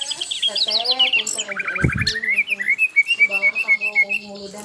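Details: Asian brown flycatcher in full, energetic song: busy twittering phrases, then a long steady series of clear, evenly spaced chirps at a brisk pace, with faint lower tones underneath.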